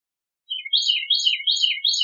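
Bicknell's thrush gives a thin, high, wavering song that twists up and down in quick loops, several per second, with no other sounds.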